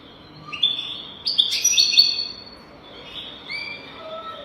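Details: European goldfinch song from a tutor recording meant to teach goldfinches to sing without mistakes: high, bright twittered phrases with a buzzy burst in the middle and thin whistled notes trailing after.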